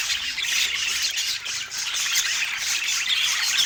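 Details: Parakeets kept as pets chattering during their autumn morning meal, a steady wash of harsh, high squawking notes without breaks for the whole stretch.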